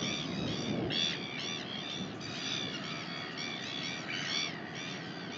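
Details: Northern royal albatross recorded in New Zealand on 19 January 2021, giving near-continuous nasal, harmonic calls in overlapping arcs over a constant windy hiss.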